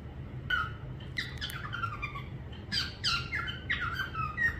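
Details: Short harsh squawks and clipped whistled notes from a parrot come in uneven bursts over faint background hum.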